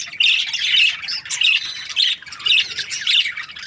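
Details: A budgerigar breeding pair, described as happy, produces rapid grating squawks and chirps in dense clusters, about every half second, with short dips between bursts.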